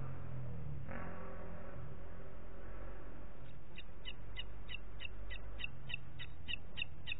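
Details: Booted eagle in Parc Natural dels Ports, 27 June 2021 at 09:06, calling in a quick run of thin, high, clipped notes, about three per second, over a steady low rumble of wind.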